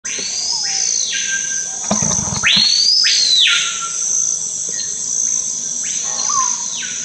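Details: Screaming piha, known locally as cricrió, singing in the Amazon: low soft introductory notes, then loud whistled phrases sweeping sharply up and ringing high before breaking off, given about three times, over a steady high insect drone.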